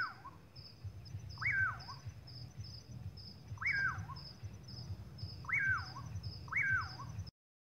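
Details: Common pauraque calling on a clear moonlit night in farmland countryside: four loud, whistled, upslurred notes with a falling tail, about every two seconds, over a steady high insect tone and a low rumble.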